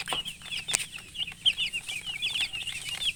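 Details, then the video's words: High-pitched peeping from chicken chicks beside a hen, many short chirps running together in a busy stream, with background hiss and occasional knocks. "silly chicken chirping sounds with murgi hen color chicken"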